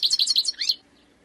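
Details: Short, sharp outburst of high twittering notes from a wild European goldfinch, finishing with a quick upward-swept note before falling silent.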